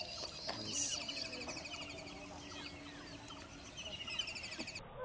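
Chestnut-headed bee-eater giving quick, high, rolling chirps in a steady run of about three notes per second, with other soft chirps and faint background hiss.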